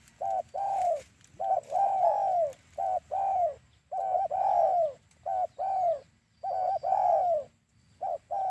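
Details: Trapping lure recording of a spotted dove: clipped double notes leading into long sliding coos, phrases packed closely one after another, with a quiet constant background hum.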